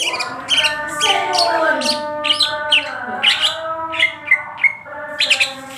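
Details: Greater green leafbird singing in full, lively song with crest raised and tail spread: a varied run of rich whistles, slurred notes and chirps, some phrases falling in pitch, delivered continuously over a faint background hum.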